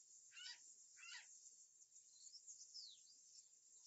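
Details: Azure Jay recorded by a live camera on 11 July 2013 at 13:56 Brasília time: two rough, broadband squawks in quick succession, followed by thin, high twittering from other small birds over a steady high hiss.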